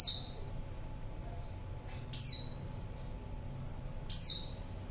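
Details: Lure call of a female white-eye for attracting a male: three bright, very high whistles that drop in pitch, each about two seconds apart, with faint softer notes trailing.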